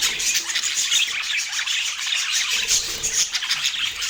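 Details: Budgerigars chirping during a healthy meal: a dense, continuous high chatter of overlapping tweets and trills from several birds, without pause, with no speech or music.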